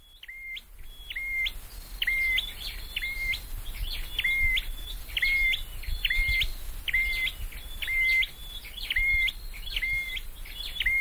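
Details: Scarlet-headed flowerpecker, a caged bird in song training, repeating short stepped whistles roughly once a second, each dropping sharply in pitch, against a steady hiss and low rumble.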